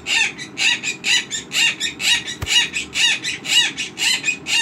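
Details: A 5-year-old female pet monk (Quaker) parakeet, a rescue, at 4:42 am makes harsh, raspy bursts about twice a second in a steady pulsing rhythm, owner thinks sex noises, possibly alarm-clock imitation; a single sharp click midway.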